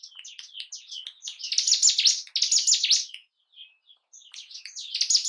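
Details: Bar-winged prinia, known locally as ciblek gunung, singing to provoke breeding condition and fighting spirit in caged birds; soft chips build into two harsh, fast chattering bursts, then a pause and a fresh high phrase.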